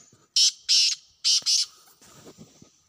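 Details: Harsh, rasping call of a wild black francolin, from a hunting setting: four loud grating notes in two pairs, followed by softer scratchy rustling and low thuds.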